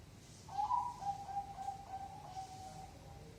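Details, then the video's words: Zebra dove in active, vigorous song, a coo style of 5, 6 or 7 beats: a soft, low, throaty coo with a short burst of rapid pulsed notes, then a long steady trilled hum, over background hiss. "perkutut gacor suara 5,6,7 ketukan"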